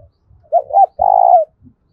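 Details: Loud, ringing fighting coo of a spotted dove: a pair of quick rounded hoots followed by one drawn-out, throbbing coo ending in a downward slide, with faint low thumps before and after.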